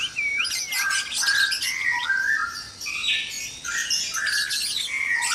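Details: White-rumped shamas in a breeding cage at dawn, a noisy chorus: clear whistled, upslurred and downslurred notes near the start, then dense bursts of harsh, high chattering and scratchy phrases that continue throughout.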